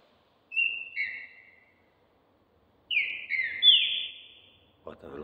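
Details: Competition Green-winged saltator in training for the season, bred for stamina and speed of song. A short whistled phrase, a pause, then a longer run of descending slurred whistles, ending with a brief noise.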